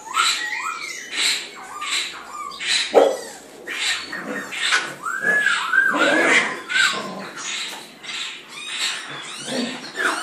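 White-cheeked laughingthrushes chatter harshly and throw in slurred whistles while competing over food.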